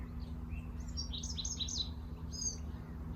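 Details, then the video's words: A Bewick's wren sings in July by a freshwater creek entering the ocean on the south coast of Vancouver Island, giving a quick run of crisp, high notes and trills, clearer than a song sparrow's, over a steady low rumble. "So singing behind me here is a Bewick's wren."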